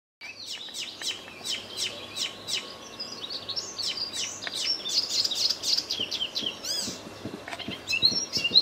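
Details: Icterine warbler singing at full volume in a tree line beside a small wood near Midsland on Terschelling, Netherlands, 20 May 2014; fast, varied torrent of sharp high notes, chirps and sweeping whistles, with quiet pauses and some scratchy clicks.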